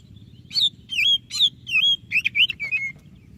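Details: White-rumped shama song used to prompt a quiet shama to sing: a lively run of clear whistled notes, rising and falling, with a steady low hum beneath.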